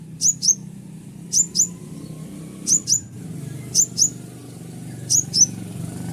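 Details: Konin (Scarlet-headed Flowerpecker) calling in an original recording meant to attract wild konin: five pairs of shrill, high, clipped notes spaced about a second apart, with a low droning background.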